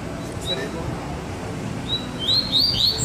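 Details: Double-collared Seedeater, one of two birds singing baderna style, gives isolated thin whistled notes, then a short cluster of rising high chirps at the end, over a steady low room hum.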